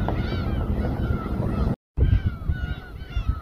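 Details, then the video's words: A flock of gulls at Samgilpo Port, Seosan, South Korea, calls over one another from a boat in a steady chorus of nasal, falling mews, above a low rumble of engine and wind. "선상 갈매기 합창"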